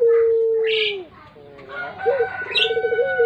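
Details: Pelung-style puter dove, a lure bird: a long steady low coo that drops away at its end, then after a pause a low rolled, tremulous note, with brief high chirps of other birds.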